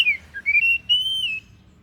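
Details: Kacer daput oriental magpie-robin giving a brief phrase: a downslurred whistle, a low note, then a long sustained whistle that rises slightly before dropping away.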